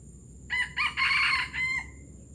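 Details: Palembang junglefowl gives a harsh, broken crow of about four rough segments over just over a second, ending in a thin trailing note, against faint background hiss.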